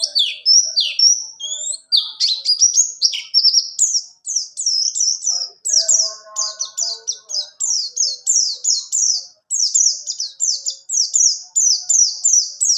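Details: Rolling 'ngalas ngerol' song of a buxtoni white-eye, used as tutor song for other birds: high chattering warble that settles into a fast series of repeated downslurred whistles, with faint softer chirps beneath.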